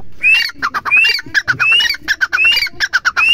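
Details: Grey francolin (teetar) call in which upslurred whistled notes alternate with rapid, harsh, stuttering clicks, giving a fast, rhythmic, ringing phrase repeated several times in quick succession.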